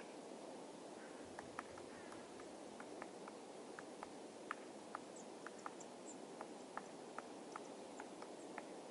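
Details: A great spotted woodpecker (Dendrocopos major) on Tatyshev Island, Krasnoyarsk, on the Yenisei River, pecks dead trees to forage: sharp, irregular knocks, about two a second at the busiest, over a steady hiss.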